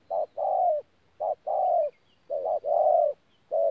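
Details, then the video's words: Spotted dove recorded at Tu Mơ Rông on 14 January 2019, cooing in short paired phrases, a brief note and a longer falling one, with a few faint high chirps in the background. "BỔI THỔ PHA GÙ QUÁ TỐT"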